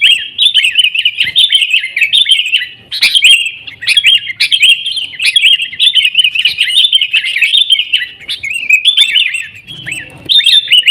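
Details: Sooty-headed bulbul song used as a lure to prompt caged bulbuls to sing: dense, bubbly chattering of overlapping sharp chirps and short warbled phrases, almost continuous, with brief lulls near the third and ninth seconds.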